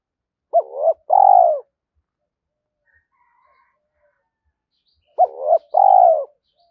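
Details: Spotted dove lure call of the thổ pha thúc type, used to draw in wild doves: two identical phrases about five seconds apart. Each is a short hooked coo and then a longer, warbled, descending coo.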